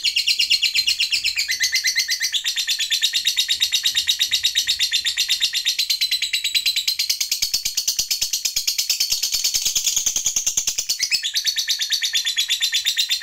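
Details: Lovebird in a long 'ngekek panjang' trill, used to make other lovebirds heated and quick to sing; a very sustained, shrill, rattling chatter pulsing steadily for over thirteen seconds with slight rises in pitch.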